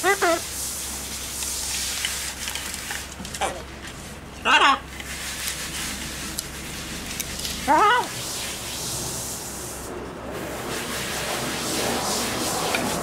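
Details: A pet blue-and-yellow macaw, outside in a rooftop-terrace aviary on an August day, chats on as usual. It gives a few short, hoarse speech-like phrases, with two louder utterances several seconds apart, over steady hissing background noise.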